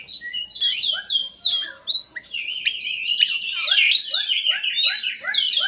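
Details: Oriental magpie-robin (kacer) song used to lure lazy magpie-robins into singing: rich, varied whistled phrases and chattering notes, with a run of short descending chirps repeated about twice per second in the second half.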